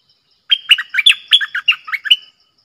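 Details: Red-whiskered bulbul song in a double-phrase style, clear and pleasant: a quick run of about nine bright, rolling chirped notes, some rising and some dropping, in one burst of under two seconds, against a silent background.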